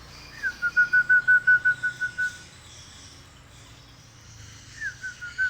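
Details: Hill myna, a bird able to imitate human sounds, whistling: a run of about ten even, clear notes on one steady pitch at a quick regular pace, a pause, then a few more notes starting again.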